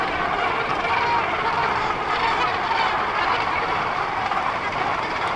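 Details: Dense, continuous clamour of a Cape gannet breeding colony on Bird Island, a nature reserve off Lambert's Bay, South Africa, one of six worldwide breeding sites; overlapping harsh honking calls blend into a steady roar.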